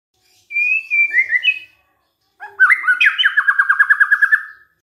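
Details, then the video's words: Provoking song of a white-rumped shama: a soft wavering whistled phrase, a pause, then an emphatic rising note into a long fast trill of repeated slurred notes. "DICOBA PANCINGAN MURAI INI, pasti murai tak tahan diam"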